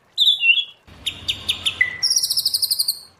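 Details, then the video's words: White-rumped shama in wild-style training song: a long sweet whistle, a series of short sharp notes, then a fast buzzy trill held on one high pitch. "Luyện choè lửa hót giọng rừng hay, luyện giọng choè lửa hay"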